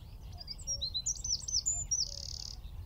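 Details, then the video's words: At Wicken Fen a Eurasian wren sings from a tree around 15 m away, recorded through a shotgun mic: a jumble of high chirps running into a long, even, dry trill at the end. "Wren (Troglodytes troglodytes) - singing from tree"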